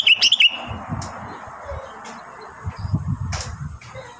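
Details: Sooty-headed bulbul kept at home, singing vigorously during its moult season: a short burst of bubbly, warbled notes in the first half-second, then quiet low rumbling background noise.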